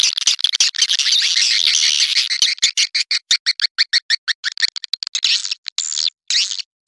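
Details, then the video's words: Attraction call for swiftlets: rasping high twitter that breaks into a fast series of short, evenly spaced buzzy chirps, about three per second, ending in scratchy bursts. "Suara burung walet panggil"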